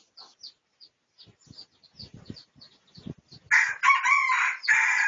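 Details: Pradu-coloured red junglefowl recorded for research on 18 August 2023: a loud, rough, banded crow arrives after three seconds of soft, rapid chirps from small birds and lasts about a second and a half.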